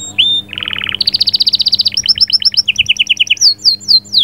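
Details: Singing canary, its song said to ready a female for breeding: a downslurred note, a low buzzy rapid trill, a higher fast trill, then two-tone chatter ending in falling whistles.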